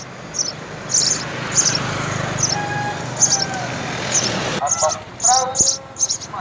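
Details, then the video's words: At a house sparrow nest where both parents feed three young, short high chirps come in uneven bursts alongside lower whistled notes, becoming louder and busier in the final seconds. "House - Sparrow Birds - Mother and father feed the three young at the nest"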